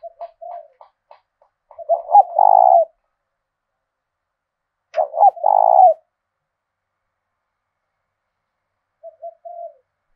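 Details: Spotted dove decoy with a thổ đồng voice from southern Vietnam: soft short coos build to a loud hollow rolling coo, repeated twice, then a faint final coo.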